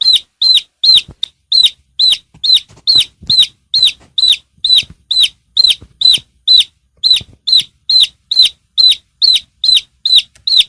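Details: Chicken chicks peeping in a clean, quiet recording: loud, high, sharply down-slurred cheeps repeated about twice a second in a steady even rhythm, with no other sounds.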